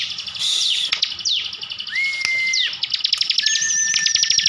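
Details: Bar-winged prinia, a kept bird from Slawi, Tegal, Central Java, singing in the rapid 'full tembakan' style: bursts of very high, fast ticking trills broken by downward sweeps and a long level whistle held near the middle.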